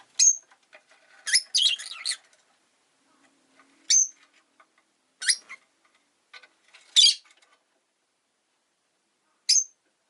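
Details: Rosy-faced lovebird kept as a pet, calling with repeated shrill, high-pitched chirps and short harsh squawky bursts at irregular intervals of one to three seconds, with quiet gaps in between.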